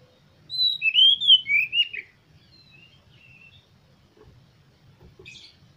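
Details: Oriental magpie-robin lure song to prompt kept birds to sing and fan their tails: a short phrase of sweet, wavering whistles over about a second and a half, then near silence with faint notes.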